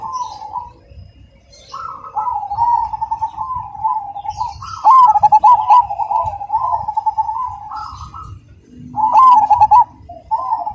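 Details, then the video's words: Zebra dove of the black cemani variety, singing actively with a loud, clear, rhythmic voice: low trilled, purring coo phrases repeated in bursts with short pauses, plus faint high chirps from other birds. "Perkutut Cemani Gacor Suara Berirama Besar Lantang dan Jernih"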